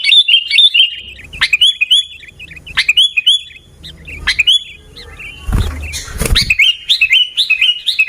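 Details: Sooty-headed bulbul singing garuda style in Pidie, Aceh, Indonesia: short bursts of quick warbling chirps every second or so, a loud rustle or bump near the end, then more bright whistling.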